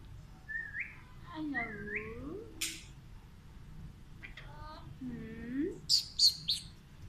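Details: Alexandrine parakeet talking in Urdu and Hindi: a few slurred, speech-like syllables with curving pitch, then three sharp, high, shrill squeaks near the end, all in a quiet room with a low hum.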